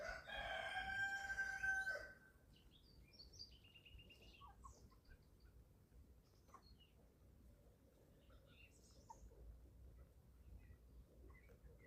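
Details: Eleven-week-old chickens at feeding time on a small family farm in Germany: a loud, harmonic, steady-pitched call lasting about two seconds opens, followed by faint scattered chirps over a low rumbling background.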